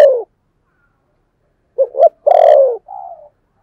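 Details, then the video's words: Decoy spotted dove in 'thổ' voice, used for luring doves: a brief coo tail, then two quick soft notes, a loud long descending coo and a quieter trailing coo. "Chim Cu Mồi giọng THỔ"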